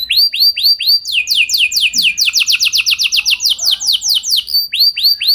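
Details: Canary pancingan song to draw other canaries into singing: arched whistles, then a fast string of sweeping downslurred notes, returning to arched whistles at the end.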